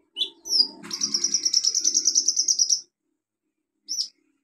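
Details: Olive-backed sunbird, a very vocal singer, used as a lure for sunbirds that stopped singing: brief high chirps, then a fast, steady, very high trill for about two seconds, a short faint low hum under it, one final sharp note.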